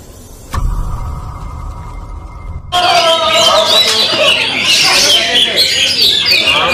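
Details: White-rumped shama singing in full-power "nyeklek" style: a low hum opens, then loud, rich song bursts in, with rapid whistles, sharp sweeps and chattering notes pouring out without pause over a busy, noisy background.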